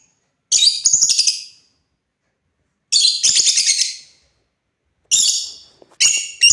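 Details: African lovebirds kept as pets, playing: bursts of shrill, harsh high chirping in three clusters separated by short silences, each burst a rapid run of buzzy notes.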